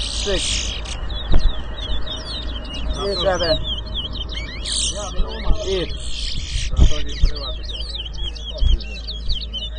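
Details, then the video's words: At a Rosehall Town, Guyana whistling contest in 2022, a towa towa sings long runs of quick high chirps and buzzes, competing with men's chatter and low background rumble. "TOWA TOWA BIRD WHISTLING COMPETITION AT ROSEHALL TOWN"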